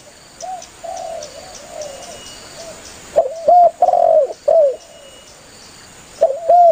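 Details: Spotted dove calling to companions, used as a hunting lure. Soft, distant-sounding coos open the clip, then louder phrases follow: short upturned notes, a prolonged mellow coo, and paired hoots near the end.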